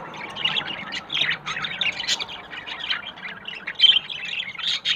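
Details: Budgerigars pairing, yellow male with blue female, seeking a nest site; quick run of squeaky, buzzy chirps and short squawks, steady and busy.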